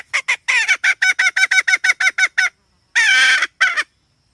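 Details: Hen giving a rapid run of about fourteen raspy clucks, then falling quiet. After the pause comes a long, harsh, drawn-out squawk and one more cluck.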